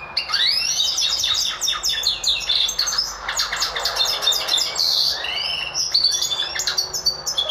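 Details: Goldfinch mule, a goldfinch crossed with a Lizard canary, in full energetic song: a long unbroken stream of fast twitters, rising and falling whistled notes and scratchy buzzes, delivered loudly and close.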